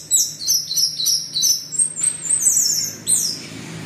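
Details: Orange-headed thrush delivering continuous 'teler' style song to entice other anis merah to sing; rapid series of very high, stepped chirps and whistled notes flowing without pause.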